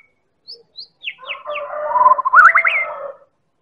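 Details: A White-rumped shama (Medan type) gives lure song to stimulate other shamas: a few high, thin downslurred whistles, then a rich, fluty phrase of warbled and rising notes under two seconds.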